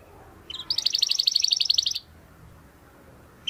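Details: Domestic canary singing in persistent, crystal-voiced style, recorded as a master tutor for training competition birds; one fast, dense trill of clear high notes lasting over a second, with faint background hiss before and after.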